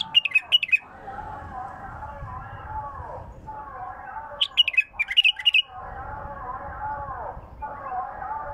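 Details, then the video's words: Bulbul song phrases, described as a pure, untrained throat: two quick bursts of four to five bright chirped notes, one at the start and one midway, over a steady low droning hum. "اجمل مداور لغات بلبل خام حنجره نقيه"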